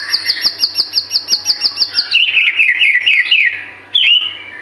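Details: White-rumped shama singing vigorously, used as a lure to prompt other birds to sing: a fast series of about a dozen sharp, evenly repeated high notes, then a run of varied, descending whistled phrases.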